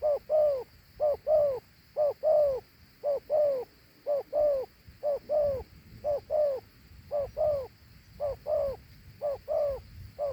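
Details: A large Thổ Hú dove gives its prized two-note coo: paired, low, hollow notes repeated about once a second in a steady rhythm, with a faint background hum.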